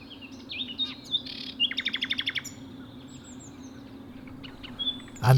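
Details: Nightingale in the open at dawn on a Sussex nature reserve, loud but usually hidden in vegetation: varied whistled phrases, a quick run of about ten repeated notes, then quieter fluty notes, with steady low background hum and a thump at the end.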